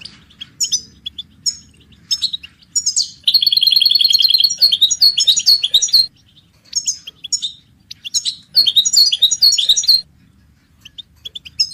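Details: Goldfinch song offered as a ringtone and melody for training songbirds, with the goldfinch hybrid also mentioned: bright, high twittering phrases with a sustained buzzy trill in the middle, broken by brief pauses, in a quiet setting.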